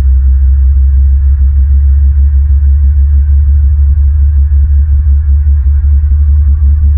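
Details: Steady low throbbing hum with pulsing electronic music-like drone, no animal voice heard.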